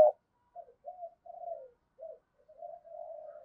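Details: Spotted dove used as a decoy to provoke a fight and make other doves coo. A run of low, mellow coos in short separate phrases, then a longer drawn-out coo at the end; quiet background.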